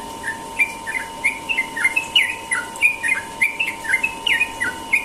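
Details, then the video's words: Morning ropel song of a Sooty-headed bulbul, loud and close: rapid bursts of sharp chirps and rising, slurred whistled notes, roughly three per second, irregular and energetic. "burung trucukan ropel pagi"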